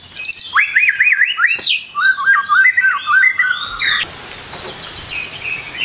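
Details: White-rumped shama morning song used as a lure to set birds singing: sharp rising whistles and quick chattering notes around the middle range, then a cut to higher, thinner whistled phrases.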